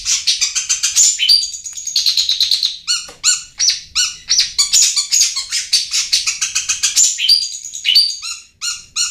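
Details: Long-tailed shrike lure sound to stimulate lazy birds: dense bursts of scratchy, chattering high notes alternating with clipped whistled phrases in uneven, rapid sequences.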